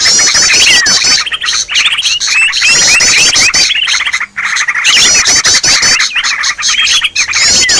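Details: Noisy Green leafbird call, a daily lure sound for trapping birds: bursts of fast, high chattering and buzzy twitters in overlapping layers, broken by a brief pause near the middle before the chatter resumes.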